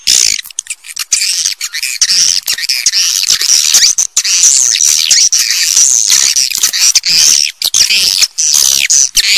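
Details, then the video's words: Swiftlets calling in a continuous, busy stream of high twittering chirps and buzzy trills, with thin whistled notes sliding through the chatter. "SUARA WALET FULL DURASION"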